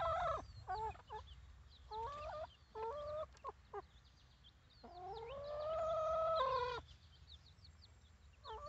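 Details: Chickens, baby chicks, outside the coop, giving a run of short clipped notes followed by one long, steadily rising call, then a brief short note at the end; soft high chirps sound in the background.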